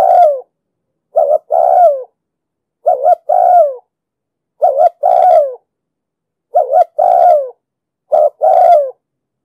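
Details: A spotted dove repeats its coo five times in steady succession, each a short two-note opening and a longer sliding-down coo. The deep 'dong sam' voice style is used to train decoy birds and lure wild ones into traps. Nothing else is audible.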